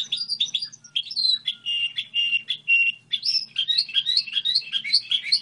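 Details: Song of a goldfinch hybrid: a rapid mix of twittering notes, short whistles and a run of buzzy level notes, with bright rising chirps toward the end; faint low hum underneath.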